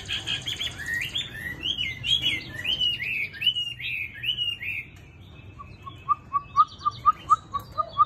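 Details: Song of a tame Chinese hwamei, noted for its good voice: a string of swooping, looping whistles, a short pause, then a series of clear, evenly spaced piping notes about every quarter second.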